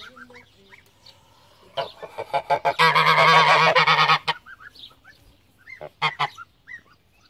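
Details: Pomeranian goose, a domestic breed descended from the greylag goose: a long burst of loud, harsh, rapidly repeated nasal honks lasting over a second, framed by scattered shorter honks and faint high chirping calls.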